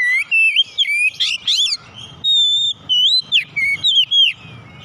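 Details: Oriental magpie-robin singing on a recording meant to get caged birds singing. A rapid, continuous string of loud whistled phrases mixes sliding notes with brief scratchy bursts over a faint low hum.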